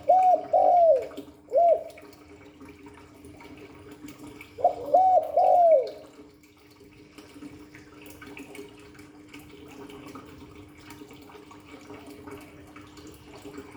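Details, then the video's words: Spotted dove giving Hạp Bổi style calling coos used to excite a decoy bird: two short coo phrases in the first six seconds, followed by a long stretch of quiet background hum. "Tiếng chim cu gáy Giọng Hạp Bổi 38. Đủ bài THúc GÁY GỌI - GÙ HAY Kích Bổi Nhanh Nổi, Cu đất gáy"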